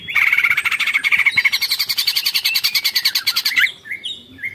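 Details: Cucak ijo, the greater green leafbird, performing a long 'ngekek panjang' song: a continuous, fast, buzzy stream of pulsed notes for over three seconds, closing with a few short, sweet whistled chirps.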